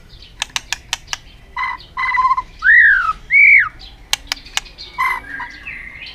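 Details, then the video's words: White-rumped shama displaying with tail flicks to excite other birds: scattered sharp clicks, then two loud descending and arched whistles among softer notes. "chòe lửa kéo dây siêu dài,đánh đuôi thái độ kích chim hiệu quả"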